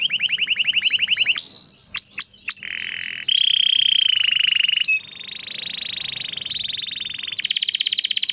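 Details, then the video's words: Canary song offered as a tutoring and prompting track for reluctant singers: a rapid buzzy trill, scattered sharp notes, then long steady whistled rolls, one slightly wavering, ending in a bright high trill. "masteran burung kenari rajin bunyi cocok buat pancingan kenari susah bunyi/macet"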